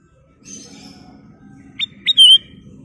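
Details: Sooty-headed bulbul (kutilang emas) singing: a soft high buzzy phrase, then two quick rising notes leading into a loud, clear whistle that wavers slightly, over a low background hum.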